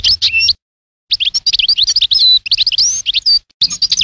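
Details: European goldfinch song: a fast, continuous flow of bright twittering, rising and falling whistled slurs, and a few drawn-out pure notes, after a brief pause near the start.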